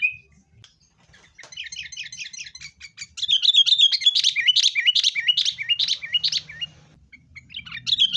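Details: Excited sooty-headed bulbul lure song to make caged birds sing, fighting style: quick chattering chirps building into a loud series of rich, bubbling whistled notes about two per second, soft rumble behind.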